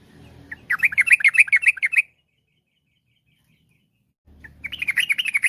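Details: Yellow-vented bulbul in full, varied rapid-fire song, used to prompt other bulbuls to sing along; two bursts of quick, bubbly chattering notes, about a dozen per second-and-a-half, separated by a silent gap, with a faint low hum beforehand.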